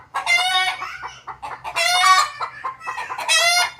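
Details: Desi rooster crowing among clucking hens; three loud harmonic crows at roughly one-and-a-half-second spacing, each rich and slightly falling, with softer clucks in the gaps.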